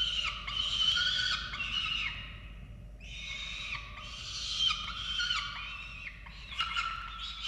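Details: Falcons at the nest in Orange, Australia, 13 November 2022, calling as chicks are fed: two long phrases of high, grating, quavering wails with a brief pause between them.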